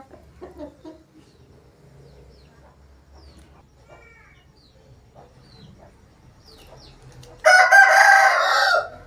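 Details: Quiet low background with faint scattered calls, then an Aseel rooster bursts into a loud, raspy crow lasting well over a second near the end.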